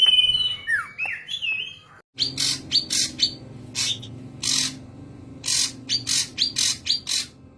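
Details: A young ashy drongo imitating a common iora: brief whistled slurs, then after a short break a series of about a dozen harsh, rasping chatter notes at irregular intervals.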